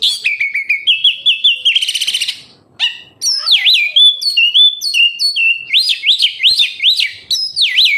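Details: Oriental magpie-robin (kacer) in full song, used as a lure to make captive birds sing: varied whistled phrases, a sustained note, a harsh buzzy burst, then rapid looping whistles repeated in quick succession.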